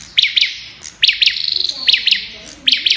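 An olive-backed tailorbird gives high, sharp paired notes about every second, broken by a quick machine-gun rattle on one steady pitch.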